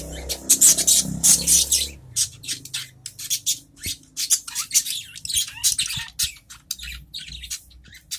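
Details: Caged adult budgerigars chattering back and forth: a fast, steady stream of short, scratchy, high chirps, several every second, after a louder blurred passage at the start.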